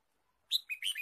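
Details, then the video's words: Red-whiskered bulbul chirping in forest during bird trapping, March 2017: a quick run of bright, slurred chirping notes, loud and close, over a silent background. "Red-whiskered bulbul Chirping"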